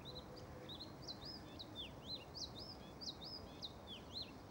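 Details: European stonechat singing a rapid, scratchy warble of high, sharply up-and-down slurred notes in quick succession, continuous throughout, with a steady low background hiss outdoors.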